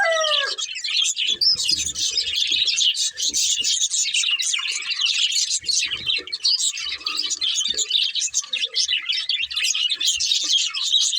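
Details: Pet budgerigars, a breeding pair, keep up busy, high-pitched chirping and warbled twittering, packed tight and continuous, with a few soft low knocks beneath.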